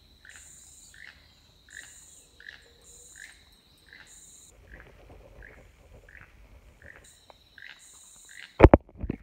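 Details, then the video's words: Keel-billed toucan in Cayo, Belize, on a morning walk, one of 3 or 4 calling from the tops of Trumpet Trees: a dry, frog-like croak about twice a second over steady high insect buzzing, with a loud knock near the end. "Toucan by their call"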